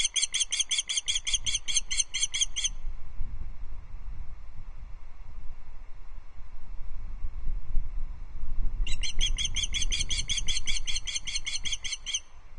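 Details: Nest-cam recording, Loch Arkaig, 5 August 2022: a perched female osprey alarm calls at an intruder, giving two bursts of quick, high, repeated chirps, each lasting under three seconds, separated by about six seconds of low rumbling background.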